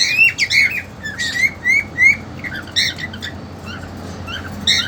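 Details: Pet cockatiels, a two-month-old female and an eager young male kept together in a cage during mating attempts; loud grating squawks and rising whistled notes, several in quick irregular succession with brief pauses, harsh broadband bursts between.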